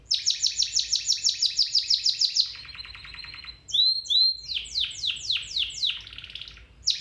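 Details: Domestic canary singing, played to train a canary: a fast rolling trill of high repeated notes for over two seconds, then a lower buzzy tour, a few clear whistled slurs and a run of sweeping descending notes.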